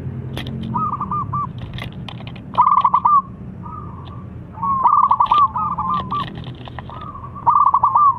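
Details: Lively local zebra dove delivering extra-long song meant to coax lazy birds into singing: trilled, stuttering coo phrases every couple of seconds, with softer, more distant cooing between them and a low rumble beneath.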